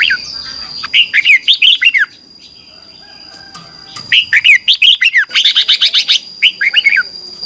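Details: Red-whiskered bulbuls in competitive morning song, used as lure sounds for training birds: quick runs of loud, sharply swooping whistled notes in clustered phrases, a brief quiet pause midway, then busier overlapping singing, over a constant high tone.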